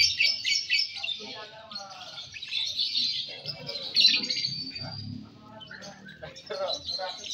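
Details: At a singing competition, a Balibu lovebird pours out high, rapid twittering chatter in long runs broken by short gaps, over a background of people talking.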